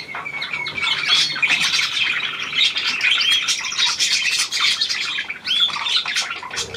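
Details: Indoors, a new hand-tame Australian pied budgerigar chatters continuously, mixing whistled slurs, clicks and harsh chirps in a lively run.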